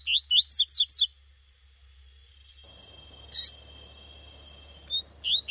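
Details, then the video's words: In the bush, a female Double-collared Seedeater (coleiro tuitui) gives a burst of five sharp, steeply sweeping whistled notes, followed by quiet with a steady thin tone and a few scattered faint chirps. "Coleiro tuitui no mato com PIADO de FÊMEA"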